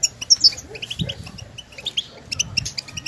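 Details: European goldfinches in nature calling to one another, stimulating calls to prompt singing; scattered high, sweet chirps and short twitter runs, some louder notes at the start.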